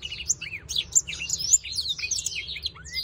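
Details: Black-throated canary, displaying (dancing) in a breeding setting, sings a fast, jumbled warble of high twittering notes and quick slurred trills, over a low background hum.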